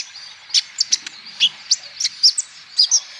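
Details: Olive-backed sunbird lure song to encourage sunbirds to sing: a quick series of high, sharp chirps and brief slurred notes, about two to three per second, irregularly spaced.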